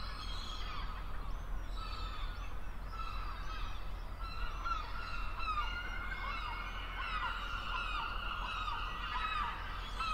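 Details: Herring gull, a large gull of sea coasts and inland waters: a chorus of many overlapping nasal, downslurred cries, repeated continuously over a steady low rumble.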